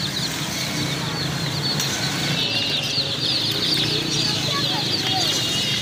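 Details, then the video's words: A crowd of newly bought chicks peeps nonstop, with thin, high, falling chirps overlapping into a busy chorus. A low background rumble runs throughout, and faint voices may be present. "chicks chirping sounds"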